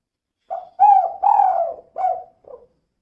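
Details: Spotted dove hen giving her 'kuk kuk' call, meant to coax other doves into calling: a short coo, two fuller rolling coos, another clipped note and a faint trailing one, clear against silence.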